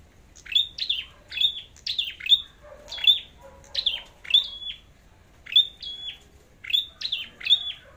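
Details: Scarlet-backed flowerpecker in competitive song gives thin, very high, sharp ticking notes in quick clusters, repeated about twice a second, with brief pauses.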